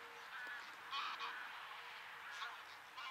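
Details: Flock of geese in flight above fields near Zingst, Germany, where cranes also gather; a continuous blur of distant overlapping honking, rising and falling in loudness, with a faint steady tone at the start.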